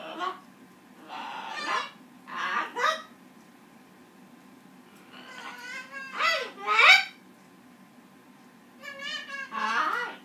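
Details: Green-winged macaw singing a duet with a Goffin cockatoo, trading harsh, raspy screeches, loud grating squawks in bursts every second or two with short pauses, the unrewarded cockatoo ending up screaming.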